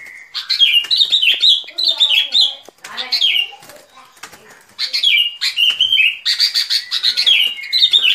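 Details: Sooty-headed bulbul song used as a trapping lure: bright whistled notes slurring down around mid-high pitch, mixed with busy chattering bursts in quick phrases, with a short quieter gap midway before the phrases resume.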